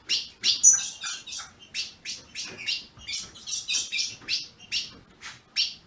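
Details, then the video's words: Brazilian ultramarine grosbeak, used to stimulate a caged bird, utters a series of high, scratchy chips spaced about a third of a second apart, fairly even in loudness. "Azulão piando, 30 min. para esquentar seu azulão"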